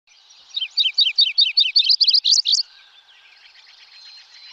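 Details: Wilson's Warbler song from the Lake Tahoe area: a rapid chattering series of about twelve sharp, high chip notes over two seconds, accelerating slightly and ending abruptly, followed by faint background birds.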